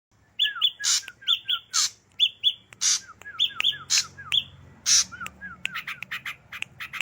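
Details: Ashy drongo singing actively: paired short whistled notes alternate with downslurred whistles and harsh raspy bursts, in a quick repeated pattern every half second, ending in a faster run of chips and slurred notes.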